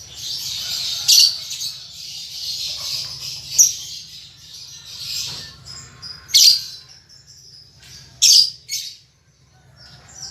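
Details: Young caged lovebird learning to chatter ngetik and ngekek style. A buzzy high warble is punctuated by sharp squeaky chirps every two seconds or so, over a low hum.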